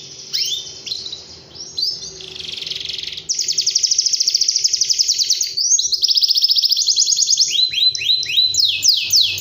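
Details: Canary in lively song: sweeping whistles and a hissy passage, then fast rolling trills of rapid repeated notes, shifting pitch between phrases, closing with quick descending slurs; steady faint background hum.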